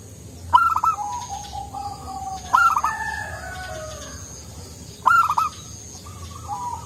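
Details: Soft-voiced local zebra dove singing often; three cooing phrases about every two to three seconds, each opening with a clipped high note and trailing into a string of lower, falling coos, with steady background hum.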